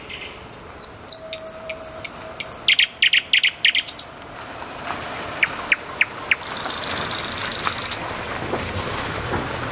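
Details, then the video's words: Common nightingale singing by a road: high sliding whistles, a burst of rapid hard notes, then scattered clicks over a rising hiss of background noise. "соловей у дороги"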